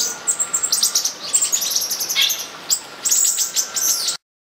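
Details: Olive-green tanagers mating at São Bento do Sul, Brazil: about four seconds of shrill overlapping chirps and twittering bursts, then an abrupt cut to silence.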